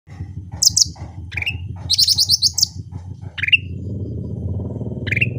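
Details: Cucak rante singing actively in its natural voice: high thin notes, a buzzy rapid trill, and short rising-then-flat whistles around the middle pitch, over steady low rumbling background noise.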